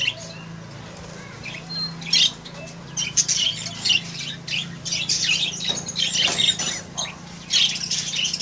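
African grey parrot chick giving harsh, scratchy squawks and chirps in irregular bursts, with a steady low hum underneath.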